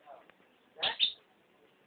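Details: Hill myna mimicking the shouts of passing street vendors it hears every day near the house; two loud, harsh, voice-like bursts close together, then quiet with faint murmurs.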